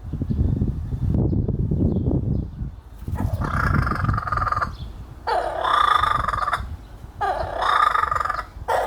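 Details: Laughing kookaburra cackle in three loud raucous bursts of fast, coarse pulsing notes, each about a second or more long, following a stretch of low rumbling background noise.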